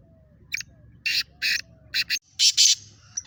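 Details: A speeder black francolin in a calling contest gives a rasping phrase of six grating notes, rising in loudness, the last two paired and strongest, with a faint thin tone trailing after.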